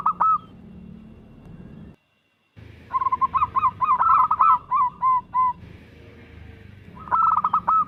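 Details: Cooing song of a local zebra dove used as a lure for other doves: opening coos, a brief silent break, then a fast run of short rolling pulses with overtones and steady repeated coos closing the phrase.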